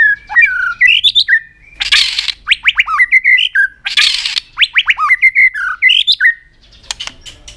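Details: Aggressive display song of a white-rumped shama, tail flicking, used to rouse other birds: rising whistled phrases and fast descending slurred strokes, broken twice by loud harsh rasping bursts, then more whistled notes.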